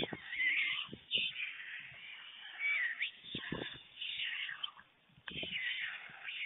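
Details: Two white stork nestlings on a webcam nest in Fohrde, Germany give wavering, cat-like mewing calls in bursts of a second or two, with a few sharp knocks. The adult male brings them a late lunch at 1:45 pm on 21 July 2019.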